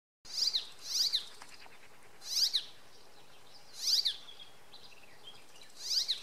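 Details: Icterine warbler singing softly in the late afternoon or evening at Oksywie, in short, bright bursts of high, slightly nasal notes, one phrase every second or two with pauses between, over a faint background hiss.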